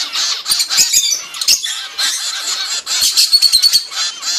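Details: Zebra finch young of a few weeks begging during feeding by their mother: a shrill, hissing mass of rapid chirps and squeals, briefly easing then surging again, with a thin whistled note near the end.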